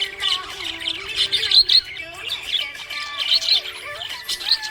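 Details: Happy budgie chirping: dense, scratchy warbling chatter in quick irregular bursts, with sharp high chirps scattered throughout, over soft melodic music playing underneath.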